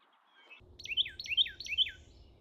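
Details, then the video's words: Bird chirps in a calm nature recording: three quick downslurred chirping notes in close succession after a soft low rumble in the background. "Relaxing Bird Humming Sounds"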